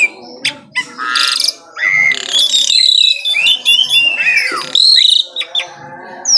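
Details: Asian pied starling singing in the morning with harsh rasping bursts, long slurred whistles that rise and fall, and sharp clicks between phrases.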